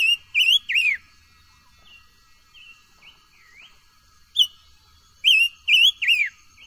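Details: Silver-eared mesia song recorded for voice training: bright triple whistled phrases with rising then falling notes, soft quieter notes between, a single sharp note, then the triple phrase again.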